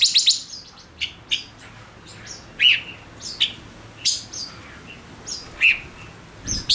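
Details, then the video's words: Male Gouldian finch used as a decoy bird, singing to lure wild birds: short bright chirps and high squeaky notes in scattered bursts, some sharp and rising, with quiet gaps between. "Chim ngũ sắc mồi hót cực hay kích bổi nhanh nổi | chim ngũ sắc hót | ngũ sắc trống"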